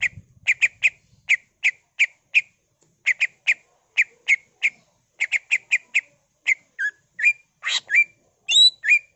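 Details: Energetic greater green leafbird song in the ngentrok style rich with mimicry: a long series of short, sharp chipping notes in quick rhythmic bursts, ending with a few sliding whistled and squeaky phrases.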